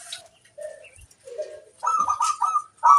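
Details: Local zebra dove, a vigorously singing master bird, gives short burbling trilled coos near the end after scattered softer notes and faint clicks.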